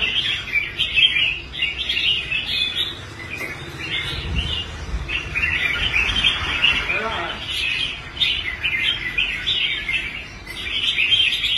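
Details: Caged red-whiskered bulbul, a former competition bird that had quit contests and was bought and restored, now performing well on the show rack; bright warbled phrases repeated in quick bursts, with voices speaking in the background.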